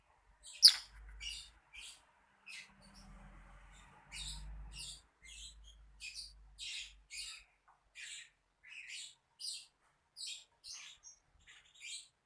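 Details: Lovebird repeating short, bright, high chirps at a lively pace, some doubled, with a faint low hum early on and near silence between notes.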